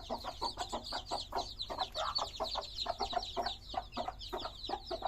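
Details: Brief burst of colourful chicks peeping: clear, high, falling notes from several birds, tightly spaced and overlapping, with a quiet low hum in the background.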